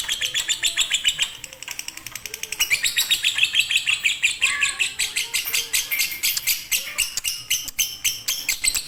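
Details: Konslet-style fighter lovebird song, played to coax quiet birds into singing: shrill, unbroken stream of rapid chattering notes, growing louder and denser after a short dip early on.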